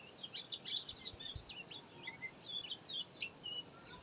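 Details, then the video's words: Kecial kuning, the lemon-bellied white-eye, singing gacor-style as a lure for reluctant birds: scattered high, thin chirps and short twittered phrases over steady background hiss, with one sharp, louder note near the end. "Pancingan ampuh buat kecial malas bunyi, suara asli gacor josss"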